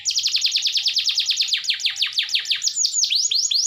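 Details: Canary singing loudly to encourage silent canaries to sing: a long run of quick descending chirps repeated about three per second, shifting into wider swooping slurs at the end.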